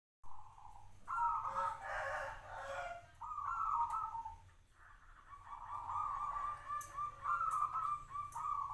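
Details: Local zebra dove kept for five years giving a cooing song: tonal coos around mid pitch with a rougher, busier burst early on, then a long wavering trilled phrase, with faint clicks in the background.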